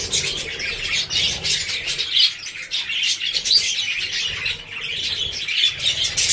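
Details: Loud, unbroken high-pitched budgerigar chatter, overlapping chirps and squeaky whistles forming a dense warbling wash throughout.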